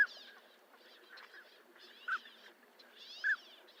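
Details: Brief mellow whistles from a northern pintail, one at the start and two more near the end, separated by quiet stretches with soft background rustle.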